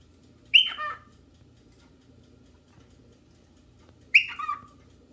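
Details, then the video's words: Cockatiel calling while looking for a partner or playmate: two loud, harsh, downward-sliding whistled calls about three and a half seconds apart, each starting high and dropping quickly, in a quiet indoor room. "Cockatail looking for a playmates"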